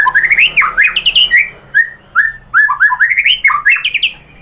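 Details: White-rumped shama (murai batu) song used as a lure to provoke singing: loud, varied whistled phrases sliding up and down, quick bursts of slurred notes separated by short pauses, some sharp high notes on top.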